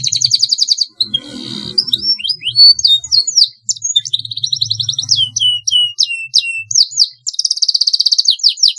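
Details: Canary training-master song rolling on at length: fast trills, a rough buzzy passage, chains of sharp swooping notes and a bright closing trill, with a faint low hum in places.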